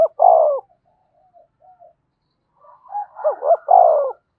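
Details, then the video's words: Caged decoy spotted dove cooing to rouse a male; a long descending coo opens, soft low notes follow, then a full phrase of two looping notes and a long falling coo. "Tiếng chim cu gáy kích bổi nhanh nổi, cu gáy mồi luyện bổi thúc sung nhất hiện nay"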